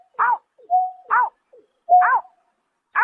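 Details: Night recording from March 2024 of a greater painted-snipe: three or four downward-bending nasal notes, with a flat steady hoot between them, over silence.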